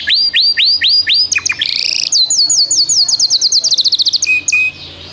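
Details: 2025-ringed canary delivers five descending whistles, a buzzy rasping phrase, then a long rapid rolling trill of repeated notes, ending on a short steady whistled tone.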